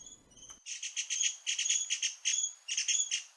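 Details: Dark-backed Sibias feeding at Doi Lang, Chiang Mai, Thailand, on a cold day raise a noisy racket: a fast run of harsh, high chattering notes in bursts, with brief pauses between groups.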